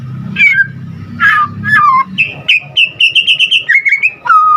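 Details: Vigorous song of a white-rumped shama: rough slurred notes over a low hum, then a rapid, even chain of bright whistles ending in a low falling note.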